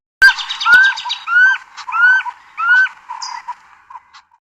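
A Common Scimitarbill opens with a quick chatter, then gives four clear, rising whistled notes about half a second apart, trailing off into soft clucks.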